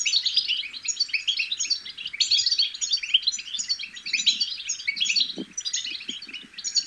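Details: European goldfinch chicks in twittering bitbita song, which is used to stimulate male goldfinches to sing. Fast, overlapping high chirps form a near-constant bubbling stream, with a faint low tap or two.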